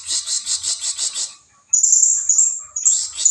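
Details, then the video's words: Blue-crowned hanging parrot lure sound to attract rivals: a fast series of about eight evenly spaced high chips, a short pause, then a loud continuous piercing high trill. "suara pikat burung serindit sangat ampuh memanggil lawan"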